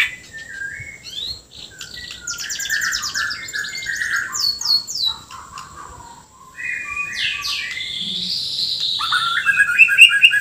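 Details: Vigorous singing from a Borneo white-rumped shama packed with harsh fill-in phrases: stuttering buzzy trills, rising and falling high whistles, a long sliding note and scratchy chips, pausing briefly before a louder closing burst.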